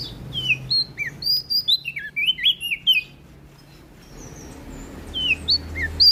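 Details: Prinia of NTB, Indonesia, singing loudly: a rapid series of high, thin whistled notes with sharp pitch slides, a pause, then scattered single high downslurred notes against a steady low hum.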